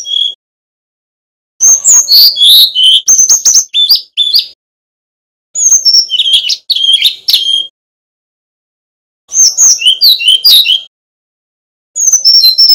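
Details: Brown-chested jungle flycatcher, a Bali male, sings repeated energetic bursts of high whistles, sharp chips and rapid trills, four main phrases with pauses between; recording used as a master for other flycatchers.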